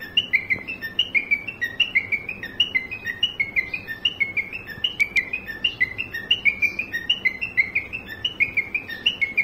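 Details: Pet cockatiel imitating a car horn: a high, whistled two-note figure stepping up and down, repeated quickly and steadily throughout, each phrase sharp and tonal with little else heard.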